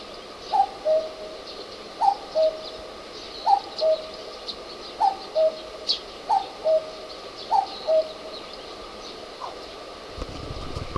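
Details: A common cuckoo perched on a neighbourhood utility pole gives six steady cuck-oo calls, each a higher first note dropping to a longer lower one, repeated about every one and a half seconds, then a low rumble near the end.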